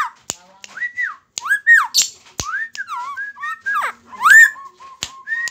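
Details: Lombok friarbird singing energetically while perched on a person's hand, indoors: varied slurred whistled notes rising and falling, some looping, broken by sharp clicks and brief pauses.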